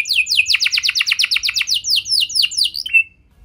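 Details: Canary singing a lure song to prompt other canaries: a quick train of bright descending chirps repeated about five times a second, slowing into looser swept notes and ending on a short buzzy whistle.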